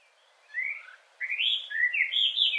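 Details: Hwamei, or Melodious Laughing-thrush, an introduced bird in Hawaii, singing loud whistled phrases: a short rising slur, a pause, then longer bright warbled notes that sweep up and down.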